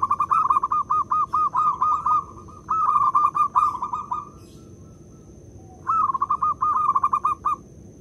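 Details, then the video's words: Zebra dove, local Indonesian perkutut, used as a decoy to draw other birds into calling: loud rolling coos near one pitch, each a quick string of pulses ending in a drawn note, given in three bursts with pauses. "Pekrutut lokal jadi cepat manggung dengar perkutut ini bunyi (PERKUTUT PIKAT)"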